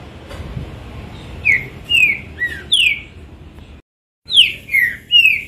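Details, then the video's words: Caged green-winged saltator singing two phrases of downslurred whistles, four notes then a short pause and three more, bright and loud against quiet surroundings. "Trinca ferro zero um mostrando oque sabe fazer!"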